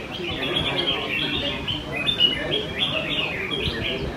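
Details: Caged red-whiskered bulbuls singing at a Sunday-morning cage-song competition in Quy Nhon, Vietnam, 21 June 2020: dense overlapping bright whistled and warbled phrases, several birds at once, with a low murmur of people talking underneath.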